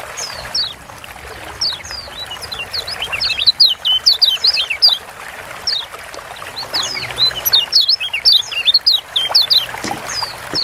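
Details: Yellow white-eye from Lombok, called kecial kuning, delivers bursts of high twittering slurs, a busy spell around four seconds and another near eight, with quieter gaps and soft background hiss.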